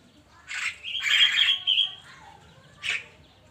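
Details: Javan myna morning song: a harsh squawk followed by a long buzzy whistled phrase with grating overtones, a softer note, and one closing rasp.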